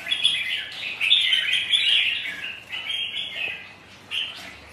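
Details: Rival red-whiskered bulbuls, kept birds sparring on a windy, rainy day; dense run of bright warbling notes for the first two seconds, then shorter answering phrases and a final sharp burst, over light background hiss.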